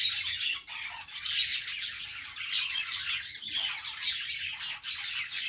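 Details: Budgerigars playing together produce a steady stream of high, twittering chirps and grating warbles, briefly dipping in volume twice before the group chatter swells again.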